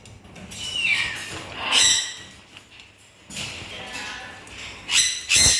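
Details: Macaw giving harsh, broadband squawks in several loud bursts, the strongest near the end, with quieter screechy notes between them.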